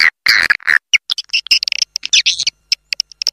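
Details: Swiftlet call of the Raja Liur lure type, played to attract swiftlets: a few lower squeaky chirps, then quick high chips and clicks in short, uneven bursts.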